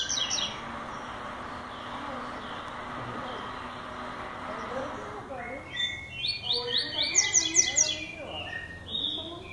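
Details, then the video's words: A Lined Seedeater (coleiro tui-tui) begins its classic song after a quiet opening: a quick run of bright, high, repeated chirps over soft background murmur. "Coleiro Tui Tui Classico"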